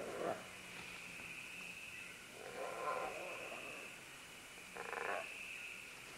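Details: Green-winged macaws descending along vines: three separate gruff, hoarse squawks spaced a couple of seconds apart, fairly distant, under a continuous high insect buzz.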